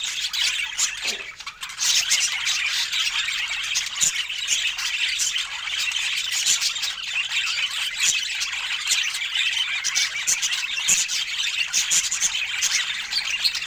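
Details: Budgies chattering at fresh fruit feeding time: a long, unbroken high warble of overlapping squeaks and chirps, with a quieter dip early on and faint low taps.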